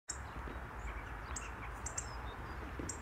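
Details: In Helmond on 25 January 2013, a Hawfinch gives sharp, very high 'tic' notes, four or five spaced irregularly over three seconds, over a steady low rumble of distant traffic or wind.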